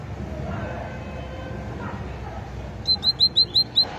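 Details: After a quiet stretch of low background hum, a great tit gives a short, even run of six high, clipped notes near the end.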